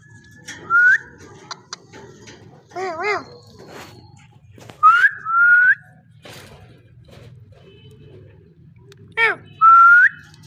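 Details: Parrot producing clear rising whistles at intervals, one followed by a level held whistle, plus a wavering low-pitched voice-like sound and soft clicks in between.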